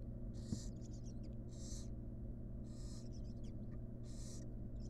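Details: Wild barn owl nestlings in a monitored nest box as the sixth and final chick hatched; four long rasping hisses roughly every second and a half, light clicks between, over a steady low hum.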